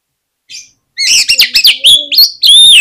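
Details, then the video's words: Oriental magpie-robin lure song used to make other magpie-robins sing: one soft high note, then a rapid, loud run of varied sharp whistles and chips ending in a sustained bright whistled phrase. "PANCINGAN KACER INI BIKIN GACOR MAKSIMAL || KACER LAIN PUN PASTI BAKALAN KONSLET"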